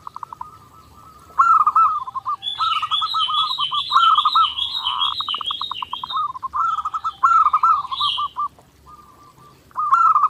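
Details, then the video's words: Zebra dove from a clear daily-training master recording, singing repeated rolling phrases of rapid staccato coos. Another bird sings a higher, busy twittering song over much of the middle section. "SUARA PERKUTUT GACOR NONSTOP"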